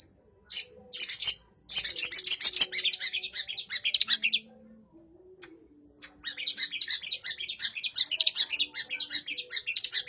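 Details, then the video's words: Long-tailed shrike in full song imitating house sparrow chirps, long busy streams of harsh chattering notes broken by a short pause near the middle, with a faint low tone and hum behind. "cendet gacor isian burung gereja"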